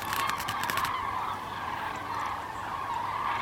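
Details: Flock of common cranes heading south on 9 November 2014, winter coming; steady overlapping trumpeting calls from many birds throughout, with a burst of rattling broadband noise in the first second.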